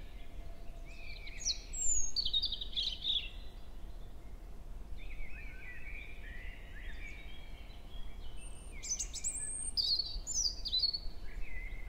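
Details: European robin singing in early-May forest at Hoher Peißenberg at 7 a.m., female near it exchanging contact calls. Two separate varied strophes of rapid, high, jingling notes and thin whistles, divided by a brief pause.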